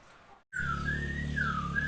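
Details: Black-throated laughingthrush, a newly kept bird, recorded 27 February 2022, giving one clear whistled phrase that rises slightly, holds, then dips and lifts again, over a steady low hum.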